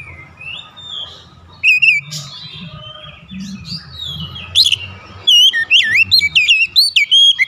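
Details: Kacer, the oriental magpie-robin, in a rival challenge: soft scattered notes over low rumble at first, then increasingly loud, rapid whistled phrases that twist up and down in pitch.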